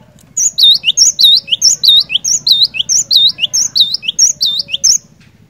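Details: Energetic cinereous tit song meant to prompt a quiet bird to sing, a fast series of bright, high whistled phrases, each with a piercing note and a dipping slurred note, delivered steadily for about five seconds above a low hum.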